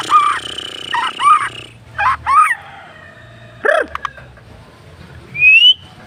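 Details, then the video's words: White-rumped shama, noted as a wild songbird, singing a rich varied filler song. Clear whistled notes curve up and down in short phrases, with one sharp rising whistle near the end, a brief harsh note, and a steady background hum. "Mb isian mewah"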